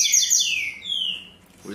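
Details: Caged double-collared seedeater on 5 December, around eight in the morning, tui tui zel zel song style: a brief burst of loud descending whistled notes fading out, with a man's voice starting at the end.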